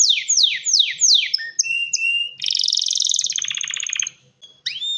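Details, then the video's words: Male canary ready to mate, singing to call a female and stimulate mating and nest building: a run of fast descending whistled sweeps, a few clear high notes, then a dense buzzy rattling trill, a short pause and a rising note. "تغريد كناري ومناداة للتزواج"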